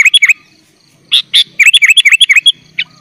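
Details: Sooty-headed bulbul, 'full isian' training song for young bulbuls: a couple of quick chirps, then a fast string of about ten twanging, down-slurred notes with faint hum beneath.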